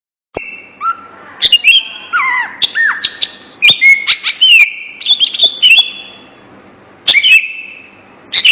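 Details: Songbird singing a loud, varied song of clear whistled notes, sliding phrases and sharp clicks, with pauses between bursts; no other sounds.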